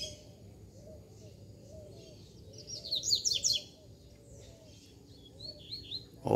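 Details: A wild male Double-collared Seedeater, near a female, sings a quick burst of bright, sliding high notes resembling the Zeuzéu song type, then a shorter phrase, over a steady low rumble.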